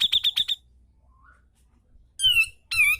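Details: Cucak jenggot (brown-cheeked bulbul) in vigorous tutor singing: four quick sharp high notes, a silence, then two loud slurred whistles that drop in pitch.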